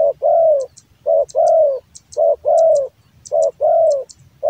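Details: Cooing song of a kept male spotted dove from Java, prized for its big voice: a regular pattern of a short hoot followed by a drawn-out, gently sliding coo, repeated roughly once a second in a quiet setting.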